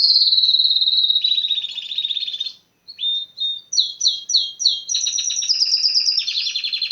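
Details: Canary song opening with a sustained rolling trill, a brief pause, then a series of sharp separate chirps building into a dense, rapid high trill.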